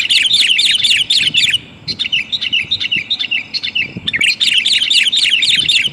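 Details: Lure recording of a female sooty-headed bulbul calling to the male. Loud bursts of rapid chirping and bubbling notes, a short quieter pause near two seconds, then the energetic chatter resumes strongly.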